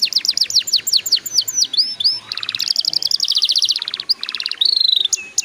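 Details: Canary song played to prompt young canaries to sing: rapid falling high notes, then looping whistles, a run of dense staccato pulses at mid-high pitch, and a closing thin, level high whistle with quick chips.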